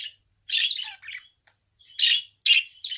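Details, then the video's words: Budgerigar kept as a pet giving harsh, buzzy chirps and scratchy squawks in irregular bursts, with brief pauses between loud grating notes. "Kuş sesi - Muhabbet Kuşu"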